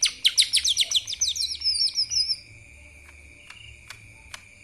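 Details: Energetic lesser green leafbird song in the kapas tembak style: a rapid burst of high, falling chirps that runs into a thin descending trill, then stops, leaving a steady high hum and faint clicks.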